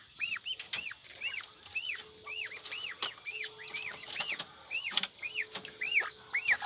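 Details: Young peafowl calling: many overlapping high, arched chirps, each rising and falling, repeated rapidly and irregularly, with faint clicks and a low steady hum in the background.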